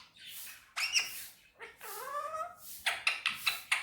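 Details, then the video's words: Indian ringneck parakeet vocalising Urdu/Hindi words on a table, a hoarse breathy start, then a drawn-out rising tonal syllable followed by quick clicking, squeaky notes. "Mitthu talking on table || so cute Mitthu is very sweet talking || And lovely parrot Urdu/Hindi"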